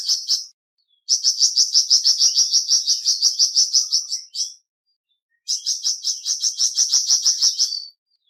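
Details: Flamboyan bird, kept as a trainee bird, singing in dense bursts of rapid high chirps, about three per second. A short phrase is followed by a pause, then a long run of even, buzzy notes and a later burst. No other sounds.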